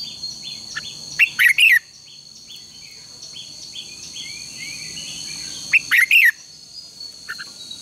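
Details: Red-whiskered bulbul contest song, used as a lure in morning training: two quick, bright warbled phrases about four seconds apart, with soft chirps between them and a steady high hiss behind.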